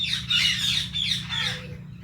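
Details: Two pet Indian ringneck parrots, including a blue bird: a steady run of rasping, buzzy chatter, then a short descending whistle near the end.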